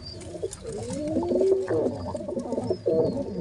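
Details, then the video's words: Pigeon father feeding two chicks at once; thin, high squeaky whistles from the young come in short arches, over a busy layer of low, throaty cooing and warbling grumbles. "how a father pigeon feeding 2 babys pigeons same time | pigeon sounds | baby pigeon sounds"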